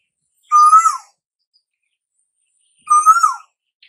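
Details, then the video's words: Asian koel call, said to herald the arrival of summer: two loud whistled notes about two seconds apart, each rising slightly then dropping at the end, with a rich, slightly buzzy timbre. No other sounds. "Tiếng chim tu hú gọi mùa hè đến"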